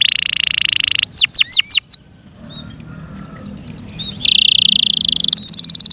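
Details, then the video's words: Yorkshire canary song: a sustained trill, a few sharp descending notes, a brief pause, then soft rising chirps building into a loud high buzzing roll. "THE BEAUTIFUL SOUND OF FI YORKSHIRE CANARIES"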